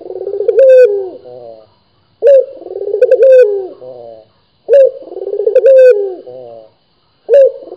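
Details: Vocal local puter dove cooing steadily, each phrase a quick rising onset, a quavering rolling middle and a sliding falling end, about four phrases with short silent gaps.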